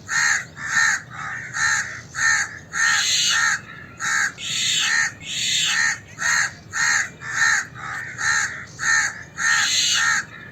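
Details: Indian crow alarm calls: harsh, nasal caws repeat about twice a second in ragged bursts, some doubled and louder, possibly mixed with scratchy common myna alarm scolding.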